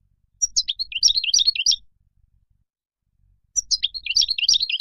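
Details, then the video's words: Wild-style European goldfinch song used to tutor young birds. Two bursts of bright, jumbled twittering, each over a second long, separated by a silence of nearly two seconds. "تغريد الخلوي أو البري لطائر الحسون"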